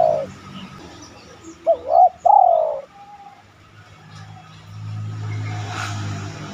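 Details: Spotted dove cooing, used as a lure recording to get other doves to coo: one phrase of two short rising notes and a long, drawn-out descending coo, a cut-off coo at the start, low background hum.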